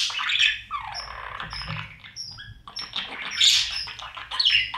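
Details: Budgerigar babies in a nest box at feeding time with parents; hoarse, high buzzing cries mixed with brief thin whistles, fairly steady chatter throughout.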